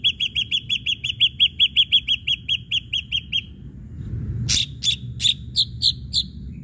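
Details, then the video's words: An Ashy drongo sings as a lure for other birds: a long, brisk sequence of repeated clear notes, followed by a harsh burst and several sharper, spaced notes. "srigunting abu abu gacor PANCINGAN"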